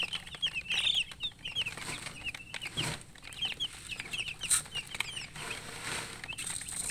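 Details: Chicks of poultry chickens chirping because they want water; clear, high, repeated peeps from several birds, some loud and close, with a short thud and light background hiss.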